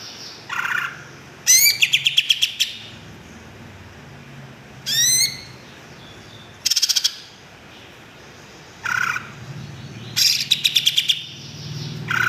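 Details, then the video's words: Greater green leafbird song in separate bursts every one to two seconds, mixing rapid high rattling note series, rising swept whistles and short harsh buzzy phrases, over a faint low background hum. "kicau cucak ijo mantap"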